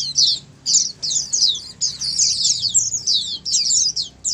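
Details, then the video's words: Oriental white-eyes chorusing together as a prompt for quiet caged birds to join in; sharp, very high chirruping bursts tumbling into one another, brief breaks between clusters. "Dengar Suara Pleci Ombyokan ini pasti nyaut burung pleci anda"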